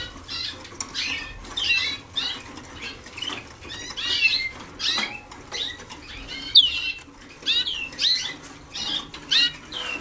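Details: Waterslager canaries in early song training, 2010, with much still to learn: a long string of chirped, downward-curving notes and short rolls, roughly two per second, over soft hum.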